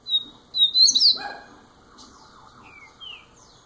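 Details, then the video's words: Young double-collared seedeater, first year, giving a loud clear whistled phrase with a bright high flourish, then fainter falling slurred notes; a dull knock interrupts. "COLEIRO NOVINHO MAIS TOP 1¤ ANO DE VIDA"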